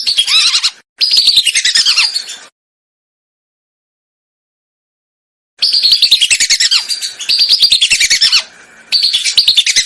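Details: Lesser whistling ducks in a lure recording made for hunting: loud bursts of fast, repeated whistled notes with a few downslurred squeals, separated by a long silent stretch in the middle.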